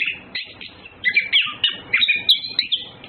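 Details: Orange-headed thrush courtship between males and females: a quiet start, then rapid chirps and whistled notes, roughly three per second, with an uneven rhythm and varied pitch.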